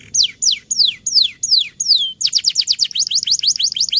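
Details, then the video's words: Canary song for the rainy season, with six clear downward-sliding whistles followed by a quick series of short rising-falling notes repeated about five times a second. "Kicauan Burung KENARI Ngeroll Pancingan Penggacor Di Musim Hujan || Pancingan Kenari Malas Bunyi"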